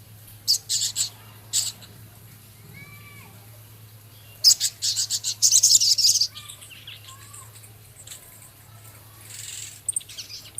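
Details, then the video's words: Singing male Javan cochoa, its song rich in minivet-style fills, ticking and harsh chatter; scattered sharp high bursts, a few thin slurred whistles, then a dense buzzy rattle, with a constant low hum. "Masteran Burung Sogon Jantan gacor isian full Sepah raja ketikan crecet kasar"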